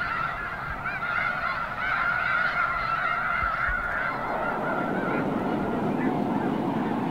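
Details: Thousands of Arctic white geese taking off at once at Summer Lake Wildlife Area, Oregon; a dense, continuous chorus of overlapping honking calls forms a steady roar, with a few low thumps and rustles from the rising flock.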